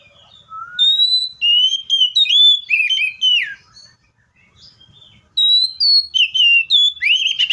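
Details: Seychelles magpie-robin singing: clear whistled phrases, some rising and some slurred downward, delivered in quick bursts, then a pause of about a second before another run of bright whistled notes.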